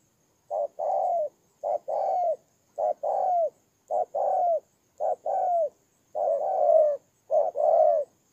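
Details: In Tumorong, Kon Tum, Vietnam, on 23 September 2018, a ground decoy spotted dove coos rhythmically: seven paired phrases, a brief hoot and a longer downslurred coo, near one per second.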